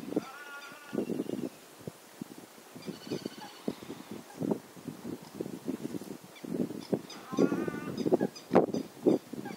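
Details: Various birds give warning calls as an eagle appears over a pond: a steady stream of short, harsh, honking notes, with a few higher, nasal, stacked calls rising above them.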